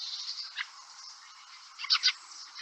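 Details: Fieldfare, a large thrush wintering in flocks on British farmland from Scandinavia, giving harsh, dry chattering notes: one rasping note, then a quick double a second later, over a steady background hiss.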